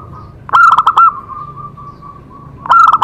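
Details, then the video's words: Zebra dove song meant to set other doves singing. A quick rattling series of cooing notes trails into a long, softer wavering coo. Another loud staccato run starts just after two seconds. "Cocok untuk terapi semua jenis perkutut pasti nyamber"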